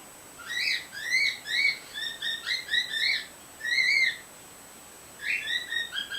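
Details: Pet white female bird, caged with a male, recorded through a screen door: bursts of bright, slurred chirps with ringing overtones, each note rising then dipping, delivered in quick strings separated by brief pauses.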